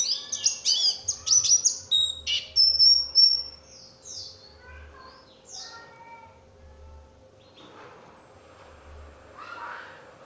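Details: Oriental white-eye lure song to draw answering song from other white-eyes: bright, high chattering notes and thin whistles for about four seconds, then sparse softer chirps fading into near quiet.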